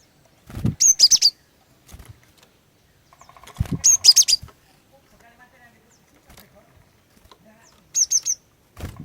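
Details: Luring song of a female cinereous tit meant to set males singing: three short bursts of high, sharp chirps spread over nine seconds, broken by low thumps and a brief lower pulsed buzz.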